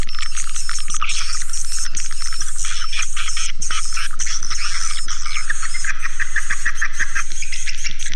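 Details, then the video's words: Swiftlet lure sound with crowded, rasping high twitters and brief gaps, carried over an even low pulse beating about four times per second. "Suara Burung Walet"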